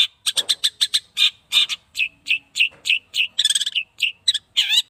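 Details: A caged 8-month-old Long-tailed shrike, on its first sunning, opens with quick chattering notes, then gives slower, downslurred harsh calls, one short trilled burst, and a final buzzy note.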